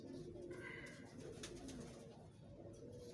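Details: A pair of Teddy pigeons, a domestic breed, in a loft. Low, soft coos arch and fall, overlapping one another. Thin high chirps from other small birds sound faintly above them, with a steady background hum.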